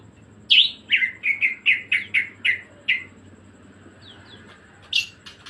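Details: A greater green leafbird, singing 'gacor ngebren', opens with a sharp high note, then a regular run of about eight mid-pitched whistled slurs, a pause, and a final piercing high note.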